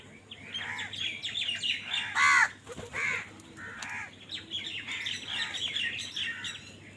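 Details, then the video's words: Several crows fighting for food call over one another in a dense run of hoarse, arched caws, one loud harsh call standing out midway, then more overlapping cawing over a faint background hum. "কাকের ডাক Crow Sound Crow ki Awaz Loudly | Crow bird Fight for Food"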